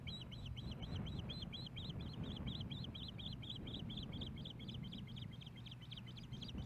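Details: Osprey calling at a Hellgate Canyon nest, Missoula, Montana, 15 May 2016, around a male's fish delivery to the female. A long, fast, unbroken string of high, slurred chirps, roughly four per second, over low mechanical rumble.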